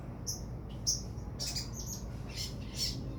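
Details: Sogon, or crimson sunbird, giving a few sharp, high-pitched chirps and brief squeaky twitters spaced unevenly over a constant low background rumble.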